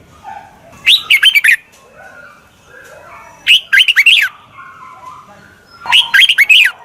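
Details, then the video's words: Red-whiskered bulbul decoy call for attracting wild birds: three bright, quick phrases of four or five jerky whistled notes, repeated roughly every two and a half seconds, with faint sounds in between. "Tiếng chào mào mòi chuẩn gọi chim bỗ nhanh về"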